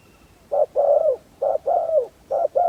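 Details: Spotted dove serving as a hunting decoy to draw in wild doves: mellow low coos in a short-then-long pattern, the longer note sagging at its end, repeated in quick succession.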